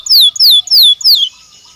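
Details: Belgian canary singing naturally: four loud, downward-sweeping whistled notes in quick succession, then quiet.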